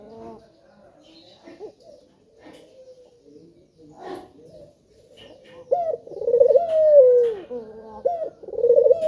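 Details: Male spotted dove calling as a lure to get other birds to sing, giving soft low coos that turn loud and rolling near the end, with fainter coos and quiet chirps earlier.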